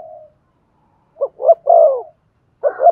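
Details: Spotted dove coo used to stimulate another dove to call: a soft tail of one coo, then two clipped notes and a longer, slightly falling hoot, with a further double note at the end.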